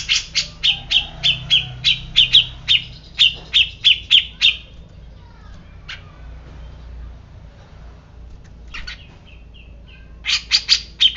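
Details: Grey-cheeked bulbul, said to be usually silent but instantly agitated, giving a quick run of about twenty bright, chipping notes over four seconds, then a pause and another short burst, with a faint low hum.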